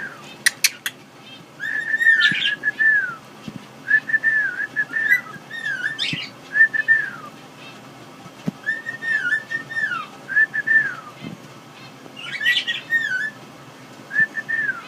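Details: A female pet cockatiel whistles clear, wavering phrases, repeated in short bursts with brief chirps between.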